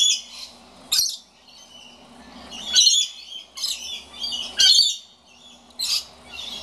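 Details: Complaining at an empty birdfeeder, a scaly-breasted lorikeet repeats harsh, high-pitched shrieks roughly every second or so, some in quick pairs, with scratchy chatter between them and a faint low hum underneath.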